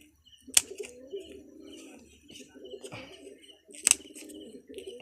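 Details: Pigeons of local and foreign bloodlines giving low, throbbing coos in long rolling phrases, broken by a few sharp loud clicks and faint background noise.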